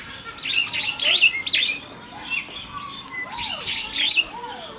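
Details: Superb starling (Lamprotornis superbus) in an aviary at Heemskerk, Netherlands: bursts of harsh, squeaky chattering notes in quick groups, with lower slurred whistles rising and falling between them.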